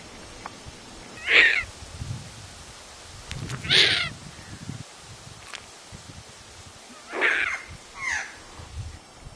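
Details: Young captive Tawny Frogmouth, the youngest bird at a wildlife shelter, calling for food: four short harsh rasping calls spaced a couple of seconds apart over low background rumble.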